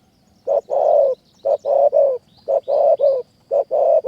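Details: Spotted dove singing in high forest in Kanchanaburi, Thailand, a wild bird drawn to a decoy during trapping: low, mellow cooing phrases, a short note then a longer falling coo, repeated about every second, with faint high chirps behind.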